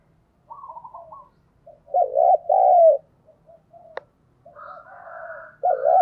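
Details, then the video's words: Decoy spotted dove cooing to lure in wild doves. A high trill, then a loud two-note coo, soft murmurs, a sharp click, a higher warbling passage and a final strong coo. "Chim cu gáy mồi chuẩn thúc & gáy gọi kích bổi nhanh nổi hiệu quả"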